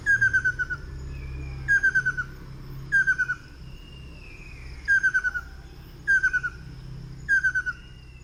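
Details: Ruddy kingfisher (Halcyon coromanda) in Queen Sirikit Park, Bangkok, Thailand, giving a short, descending, rattling trill about every second and a half, with faint thin whistles from other birds and a low rumble behind.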